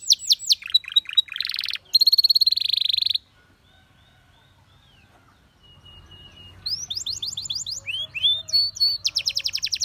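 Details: Canary delivering bursts of high sweeping notes and a fast buzzing trill, then a few seconds of near silence with faint low background hum, before the singing resumes with whistled slurs and rapid repeated notes.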